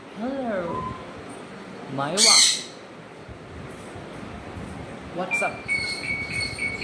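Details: Pet African grey parrot at home making wavering, voice-like tonal sounds, then a loud harsh squawk, followed by quieter short whistled notes.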